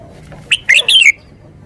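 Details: Red-whiskered bulbul delivering one short, loud phrase: an opening upslurred note, then a rapid tumbling cluster of clear whistles ending on a falling tone, all within about half a second.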